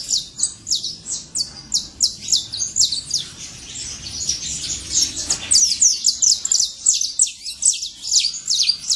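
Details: Saffron finch in the wild with a steady flow of bright high chirps, slightly denser and overlapping mid-clip, over a soft low background hum.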